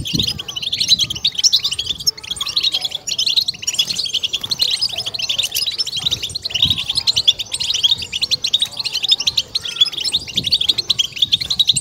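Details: European goldfinch song intended to stimulate and excite goldfinches: nearly twelve seconds of unbroken, busy high twittering with tinkling trills and scattered low knocks.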